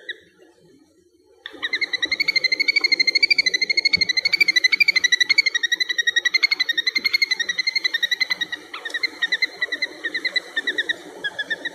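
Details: A little grebe at Dapeng Bay, Taiwan, on 17 July 2022 gives a long, rapid, high whinnying trill of fast even pulses, wavering slightly in pitch for about ten seconds, over a low background hum.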